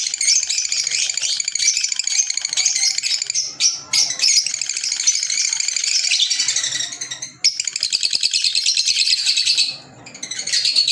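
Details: Green Fischer's lovebirds, African lovebirds, chattering almost nonstop in a dense, shrill, high twittering stream, broken by a few brief gaps and sharp clicks.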